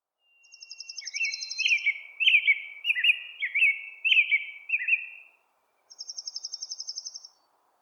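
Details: Male American Robin singing at dawn in spring, a run of about eight rich, caroling whistled phrases that rise and fall, with a high, thin, rapid trill just before the first phrase and again after the last.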